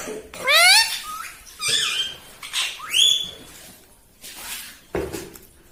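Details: Pet parrot talking, said to say "mitthu mitthu" and "mummy"; four loud, harmonic, rising voiced syllables in the first three and a half seconds, then quieter scattered sounds.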